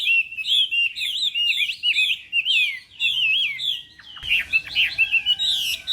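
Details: Chinese hwamei singing during morning voice training for a contest: bright, looping whistled phrases repeated rapidly, then more jumbled warbling with added background noise in the last seconds.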